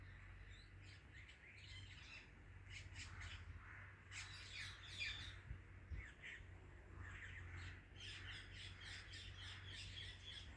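A rose-ringed parakeet gives bursts of harsh, high chirps and squawks, some in quick runs, over a steady low hum.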